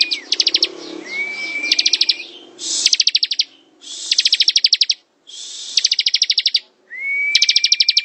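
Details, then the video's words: Ciblek (bar-winged prinia) in continuous ngebren song, rattling out repeated bursts of high rapid clicks separated by brief pauses, a rising whistle introducing the first and last phrases. "Suara ciblek ngebren"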